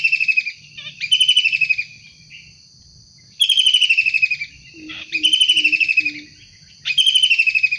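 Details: Actively calling wild kingfisher: grating, rapidly pulsed bursts that drop slightly in pitch, separated by short pauses and one long gap. Brief low hoots and a steady high whine fill the background.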